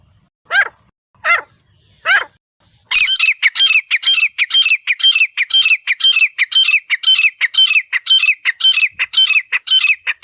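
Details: Wild grey francolin, or desi teetar, heard in natural surroundings, a hunting call: three isolated falling notes open, then a loud, rapid, rhythmic string of harsh, grating notes runs to the end.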